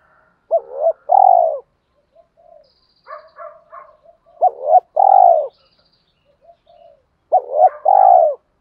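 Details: Spotted dove coos for training decoy birds, male and female: three phrases, each a short note plus a long level-falling coo, spaced a few seconds apart, with faint chirping between.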